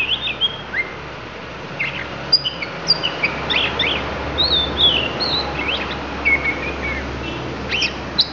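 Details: Magpie-robin of the Lampung type bringing out isian, a loose string of twittering chirps, thin high whistles and short sharp notes at irregular intervals over a faint steady hum.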